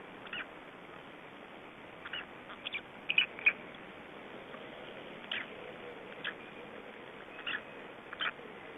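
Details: Black Stork chicks aged three days, Estonia, 2012, give brief rasping cheeps at irregular intervals, a tight pair of brighter notes in the middle, all over a constant background hiss.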